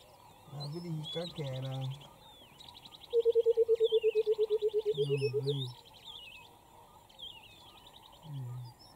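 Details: A white-browed coucal in Queen Elizabeth National Park, Uganda, in August 2022, gives a fast run of about eighteen hollow, bubbling hoots in under three seconds; people talk quietly and small birds chirp high above.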